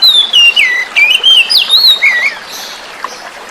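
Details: Wild-caught young oriental magpie-robin singing, played to stimulate birds that stopped singing, with flowing water behind; a rapid run of sweeping whistles dipping and climbing, then a brief zigzag phrase before fading.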